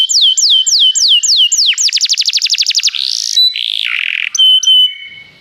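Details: Canary singing as a cue for another canary: repeated falling whistles, a quick rattling trill, then buzzy and sustained tones ending in a soft fade.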